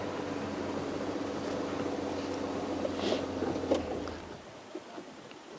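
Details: Steady low engine rumble with broadband noise and a couple of brief knocks, with no animal calls.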